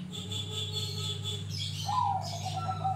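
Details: Grey-bellied bulbul singing vigorously to lure other birds: high twittering, then a clear whistle dropping in pitch and trailing off, steady low hum behind.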